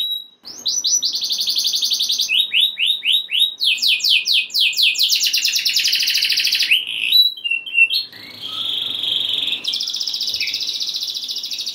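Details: Canary singing in a rolling, forceful style meant to stir other canaries into song: rapid repeated high trills in blocks, shifting between pitch levels, with a steadier buzzy trill near the end.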